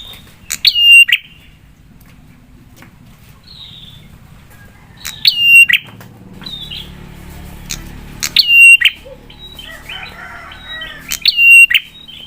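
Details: Prinia lure song meant to stir other prinias to reply. Four loud phrases come about every three seconds, each a sharp click, a short whistle and a harsh burst, over a low background rumble.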